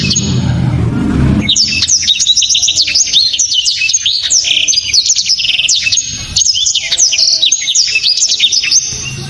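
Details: Powerful, clear song of a blacktrod prized by Indonesian bird-song hobbyists; after a burst of low noise, a sustained torrent of rapid high whistles, steep slurs and sharp chips fills the rest, with short breaks near the middle.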